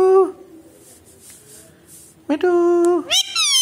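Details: Pet Alexandrine parakeet talking in Hindi indoors: a nasal word trails off, quiet pause, then a long flat nasal syllable held half a second, followed by rapid squeaky falling notes.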